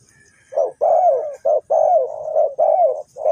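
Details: Spotted dove calling from Ninh Thuận, Vietnam, used as a decoy to lure wild doves into a trap: low, mellow coos in quick broken phrases, each note swelling then dropping slightly, about eight notes in a few seconds, with faint high hiss behind.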